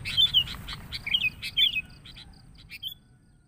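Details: Noisy sooty-headed bulbul sound used as a lure to attract bulbuls: rapid bursts of short, sharp chirps mixed with slurred whistled notes, busiest in the first two seconds and then thinning to scattered, quieter chirps.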